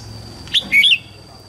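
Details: Morning song of a red-whiskered bulbul for training white-cheeked juveniles: a brief clipped whistle followed by a short, bubbling two-part whistled flourish, with a thin steady tone in the background.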